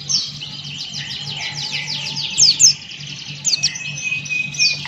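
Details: Male Buxton's white-eye in full 'gacor ngalas' song: rapid runs of high, thin, downward-slurred chirps, joined by a few sharper piercing notes and short trills. A steady low hum runs underneath.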